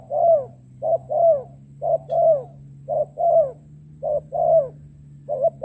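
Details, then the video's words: Spotted dove used as a lure bird for trapping in Cà Mau, Vietnam, recorded 21/2/2024: low hollow coos in short and longer notes, about one phrase each second, with a steady hum and faint high tone behind. "bẫy chim cu gáy mồi đất cà mau. mồi (Q.Đen)"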